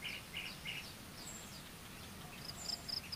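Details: Common kingfisher chick waiting for its mother to return: three short buzzy mid-high notes in quick succession, a pause, then thin sharp high peeps repeated near the end over soft background hiss.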